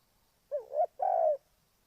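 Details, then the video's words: Spotted dove used as a lure for trapping, giving a single phrase: a dipping, wavering coo rising at its end, then a long level throaty coo. "Cu gáy Ninh Thuận"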